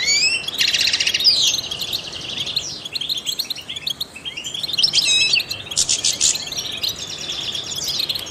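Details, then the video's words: Song of a trained European goldfinch meant to stimulate other songbirds: dense, fast twittering with buzzy trilled bursts and quick rising and falling whistles, loud at the start and again near the end. "in the wild goldfinches chirp to stimulate songbirds"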